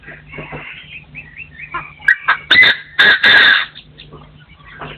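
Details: Partridges crowing in 2024 in a forest setting: soft chattering notes build into loud, harsh, scratchy bursts, ending in two long rasping calls, with a steady low hum beneath.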